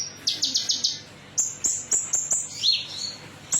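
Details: Singing lure from a metallic konin to stir other birds into song: quick burst of buzzy trilled notes, then sharp high whistles spaced evenly and one downward-sliding note.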